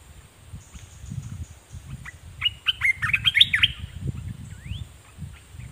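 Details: Red-whiskered bulbul used as a decoy, singing at wild birds: a short burst of rich, quick warbled notes, then a single rising slurred whistle, over steady low rumbling and a thin high hiss.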